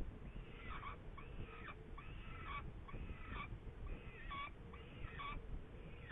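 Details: Saker falcon in Hungary, 8 May 2019: harsh, harmonic calls with bent, arching notes, given in bursts about every second over steady low rumbling background noise.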